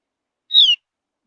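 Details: Javan grey-throated white-eye, a species of high mountain forests, gives one brief, bright whistle that falls in pitch. Its whistling is said to prompt other birds to join in singing. No other sounds.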